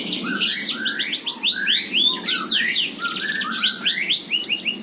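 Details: Yorkshire canary (F1) singing a long, continuous, clear and loud song of fast upward-sweeping notes, short trills and ringing chirps, packed densely with hardly a pause.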